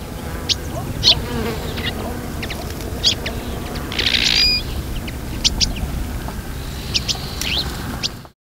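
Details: A group of Iberian magpies bathing in a fountain give scattered short, high, chipping and rasping calls over a steady low rumble, with a burst of splashing water midway.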